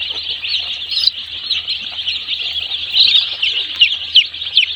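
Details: One-day-old chicks on a poultry farm, a dense crowd peeping together in a continuous high, shrill chorus of short overlapping cheeps, with a few louder sharp peeps standing out above the mass and a faint low hum beneath.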